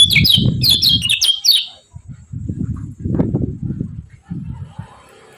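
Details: Lively yellow-vented bulbul (kecial kuning) 'ciak ciak' calling to stir up rival birds: a quick series of high, sharp chirps in the first second and a half, followed by low rhythmic thumping and rumbling.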